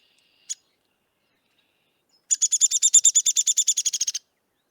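A Downy Woodpecker gives one sharp pik, then a fast, high rattle of about eighteen squeaky notes that sags slightly in pitch over two seconds.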